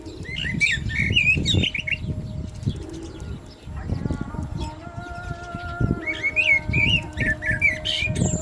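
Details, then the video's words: Common blackbird song during the azan, with bursts of mellow warbled, wavering notes before and after a sustained chanted human voice from the call to prayer, with low background rumble. "Lovely Black Bird Voice صوت المسوود مع الاذان"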